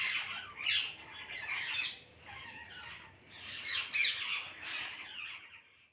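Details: Parrots gathered in a flock keep up a continuous chorus of harsh, raspy squawks that swell and ebb in waves, fading toward the end.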